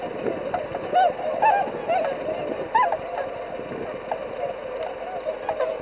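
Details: Swans gathered before migrating north, 22 February 2019, give loud bugling honks rising above a steady murmur of many flock calls, several distinct calls in the first three seconds.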